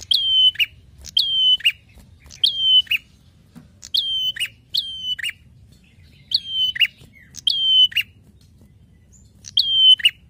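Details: Prinia song used as a master recording for training songbirds and as a lure: eight loud phrases, each a sharp chip, then a high, level whistle ending in a lower buzzy burst, repeated about every 1.3 seconds, with a quiet low hum.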